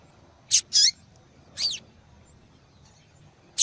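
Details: Female double-collared seedeater calling a lot to draw males' attention; high, squeaky chips, one with a twisting downward slur, four loud notes in under four seconds over faint hum.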